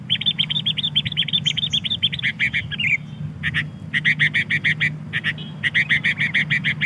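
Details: Sooty-headed bulbul lure call for wild birds from Pidie, Aceh: long runs of fast, evenly spaced chattering notes, broken by brief pauses, then resuming in clipped groups, with a low constant hum beneath.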